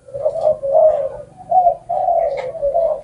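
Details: Spotted dove, its coo graded in Vietnam for a long tail note, delivering low, mellow hooting notes in a run of five connected phrases, smooth and slightly wavering, with brief pauses between them, in a quiet setting.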